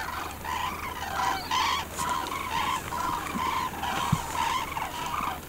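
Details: Common cranes giving loud, rolling trumpet calls, many overlapping voices in repeated bursts about every half second, with a steady low background hum throughout.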